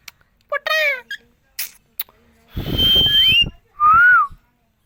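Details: Talking green parrot from India gives a brief speech-like word, some clicks, then a long steady high whistle overlapping a rising whistle and a rustling noise, ending with a loud arched whistled note.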